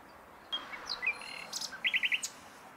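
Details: Common nightingale song phrase: scattered high chirps and short whistles, a thin sustained tone, then a quick burst of four sharp repeated notes near the end.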